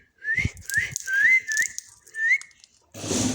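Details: Parrot talking while eating, producing five quick rising whistles in a row, with low rustling thumps underneath and a loud rustle at the end.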